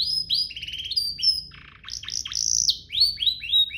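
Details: Short passage of canary song with an elaborate style, used as a master recording for young birds: upward-sweeping whistles, a mechanical buzzy burst, sharp descending notes and three clear rising slurs at the end.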